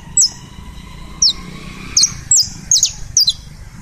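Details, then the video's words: Colombian saffron finch song: six high, ringing chirps that drop in pitch, spaced irregularly and sometimes paired, each with a short lingering tone, over a quiet low background. "CANÁRIO DA TERRA COLOMBIANO CANTANDO"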